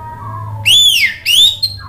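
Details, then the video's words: Orange-headed thrush in 'ngeplong' style, used as a lure to make a bird that has stopped singing respond: two loud, clear whistles, the first arching up and falling away, the second rising and holding, then a short high note. "ANIS MERAH GACOR MEMANCING EMOSI JADI NYAUT BUNYI NGEPLONG GACOR"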